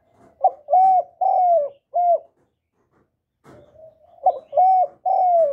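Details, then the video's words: Continuous spotted dove cooing played to attract wild doves. Two phrases of three or four hollow, slurred coos are separated by a pause of over a second. A faint low rumble leads into the second phrase. "Chim Cu Gáy Liên Tục, Gáy Gọi, Thúc, Gù, Bo, đảo giọng kích bổi hiệu quả. cu đất gáy, cu cườm gáy"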